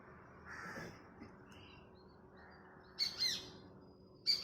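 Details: Female Shikra perched on a neem tree in the morning, giving shrill, high-pitched calls: a burst of two sharp notes at three seconds and another loud note at the very end, after fainter, softer sounds earlier, over quiet background hum.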